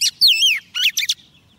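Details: Female Oriental magpie-robin decoy singing to attract a male: one loud slurred whistle dropping in pitch, followed by two brief scratchy notes.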